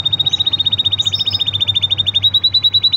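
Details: Green canary singing a steady high rolling trill of quick repeated notes on one pitch, slightly rising toward the end, with a few faint higher chirps.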